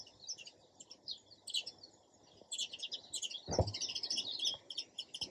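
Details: Dense, busy sparrow chirping, notes tumbling over one another, with one thud partway through and faint background hiss.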